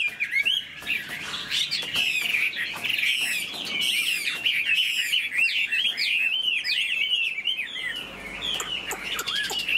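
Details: Caged Chinese hwamei with a spread tail, flicking its wings and tail as it sings; a dense, continuous run of rapid, varied whistled notes and sweeping slurs, loud and unbroken for the whole stretch.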